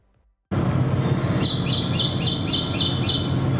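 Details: Kentucky Warbler at Wyalusing State Park, Wisconsin, early morning, sings a quick run of bright, rolling two-part notes, about two or three each second, over a steady low road-noise rumble.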